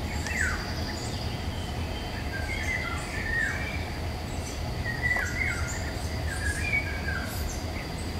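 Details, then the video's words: Eurasian golden oriole singing in woodland during May 2021, Nikon Coolpix P1000 recording: a run of liquid whistled phrases, several dropping sharply in pitch, repeated every second or so over steady low noise and distant high chirps. "Il canto del rigogolo (Oriolus oriolus) nei boschi"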